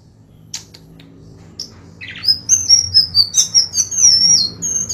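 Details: Golden-bellied gerygone song used as a tutor recording for songbirds: after a few scattered high chips, a rapid run of thin, high, sweet whistled notes, descending and wavering, continuous for about three seconds.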